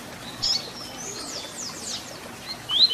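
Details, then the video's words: A double-collared seedeater (coleiro) sings the "Tui Tui Zel Zel" song type, used to train young birds: thin, very high notes, with a sharp chip near the start, faint sweeping phrases, and a bright rising pair at the end. "Papacapim Tui Tui Zel Zel Canto FIBRA para Encarte"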